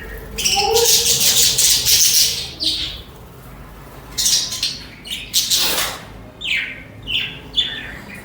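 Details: Several budgerigars (parakeets) singing and chattering: dense bursts of scratchy, buzzy chirps and harsh squawks, strongest in the first three seconds, then shorter separate chirps and squeaks.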